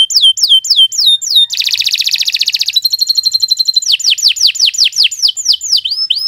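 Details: Canary song meant for tutoring young birds: quick downslurred whistles, a dense buzzy rattle, a faster even trill, then a run of swooping whistled notes.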